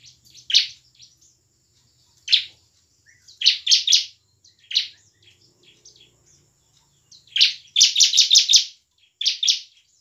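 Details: Bar-winged prinia singing energetically in the full-of-emotion 'ngebren' and 'nembak' styles, used to lure lazy or young prinias into song and fighting: scattered bursts of harsh, buzzy, downslurred high notes, including a rapid run of about six near eight seconds.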